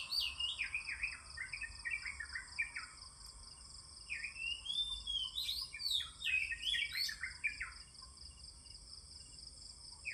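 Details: Oriental magpie-robin singing in the morning: varied whistled phrases, rising and falling notes and slurred trills in bursts, over steady high insect drone and faint low rumble.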